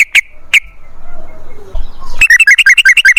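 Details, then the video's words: Yellow-vented bulbul song used as a lure to make other bulbuls sing: two sharp chirps, a pause, then a rapid run of bubbly, rising-falling whistled notes. "TRUCUKAN GACOR Ropel Panjang Buat PANCINGAN TRUCUKAN Agar Bunyi"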